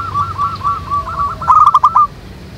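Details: Wild local zebra doves singing (manggung) together: a smooth row of soft, curling mid-pitched coos quickening into a short, loud stutter of rapid notes before fading.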